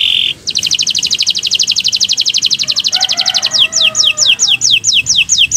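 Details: Atlantic canary song for training caged birds: a long very rapid trill of paired notes, followed by evenly spaced downslurred whistles.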